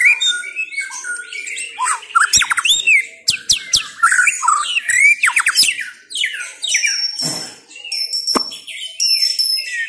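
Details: White-rumped shama of the Chao Singto line in rich, fast song: dense whistles, sharp clicks and chattering phrases pour out, ending in long high thin whistles.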